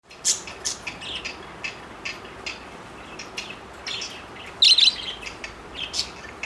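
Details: Four pet parakeets flirting, giving short sharp high chirps and brief tweets scattered through the recording, with a louder burst of clustered chirping near the end; no other clear sounds.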